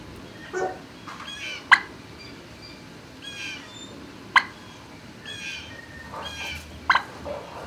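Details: Turkeys in a barn, midday, 26 March 2019: clusters of high chirping calls from several birds, broken by three sharp loud clicks or knocks, over a quiet background hum.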